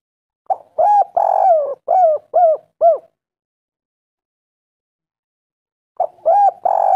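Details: Calling spotted dove, clear and lively, used to lure and call females. A full phrase of six coos with one long middle note, about three seconds of quiet, then the start of another phrase cut off.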